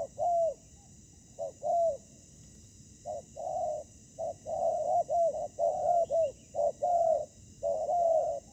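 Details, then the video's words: Decoy spotted dove on the ground during a trapping season meeting combative wild doves: short-long coo pairs, sparse at first, then crowding into dense overlapping cooing toward the end. "Bẫy cu gáy mồi đất : Tuyển tập Mồi cùi bắp gặp Bổi trận của năm"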